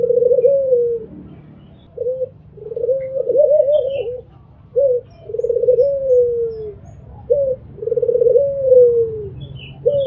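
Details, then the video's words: An albino Barbary dove coos low and soft, alternating a brief clipped note with a long rolling, slightly falling coo, repeated every couple of seconds over a faint background hum. "MAKIN MBEKUR !! PUTER ALBINO MBEKUR ll SUARA BURUNG PUTER MERDU"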